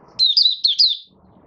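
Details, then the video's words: Single short phrase of 'buka sing' song from a caged Malaysian Oriental white-eye not in form, 1 August 2023: four quick high whistled chirps, each sliding downward, run together in about one second. "Malaysian Mata Puteh - Buka Sing"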